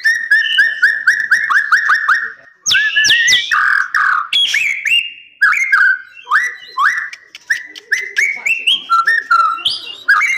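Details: White-rumped shama in captivity at a breeding facility: a rapid series of repeated whistled notes gives way to loud, varied phrases mixing rising whistles, buzzy notes and sharp clicks, with short pauses throughout.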